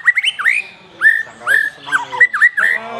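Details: Black-tailed white-rumped shama giving a lively series of rich, mid-pitched whistled phrases, each swooping down and back up, in short bursts separated by brief pauses.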